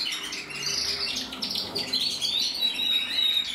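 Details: A male canary, red-black mosaic variety from 2024, sings a busy high warble of rapid trills and chirps, with faint low background hum.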